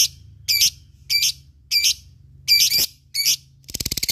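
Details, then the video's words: Lovebird calling in ngekek style, used to provoke rivals and get fighter birds responding: five harsh, buzzy squawk bursts about every half second, then a fast rattling series of clicks at the end over a low hum. "SUARA LOVEBIRD NGEKEK MEMANCING LAWAN BUNYI BURUNG BAHAN FIGHTER CEPAT RESPON"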